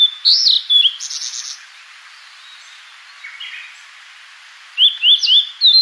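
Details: Fork-tailed sunbird, natural sound: high whistled notes and a brief buzzy burst open the sequence, then a pause, then a run of rising, thin, upslurred whistles repeated about twice per second.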